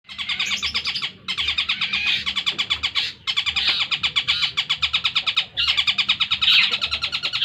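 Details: Long-tailed shrike, an 8-month-old caged bird, sings its full 'tengkek buto' style linked with 'greja yeret': dense bursts of rapid, scratchy repeated notes, each run about a second long, separated by short pauses.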